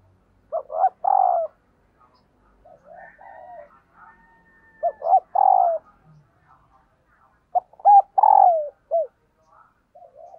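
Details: Calling female dove, used to stir up males: three cooing phrases about three and a half seconds apart, each with short clipped notes leading into a longer drawn-out falling coo, with faint soft coos between.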